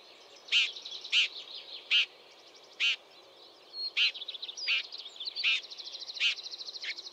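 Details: Red-backed Shrike (Lanius collurio), a summer visitor, on the H7 road in Kruger National Park, South Africa, giving harsh, rasping 'chack' notes about every second over thin chattering from other small birds.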